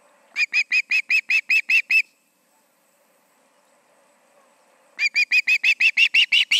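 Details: Osprey calling at its nest on an August evening near 7pm, two birds present; a rapid string of piercing high chirps, a silent gap of about three seconds, then another quick urgent series.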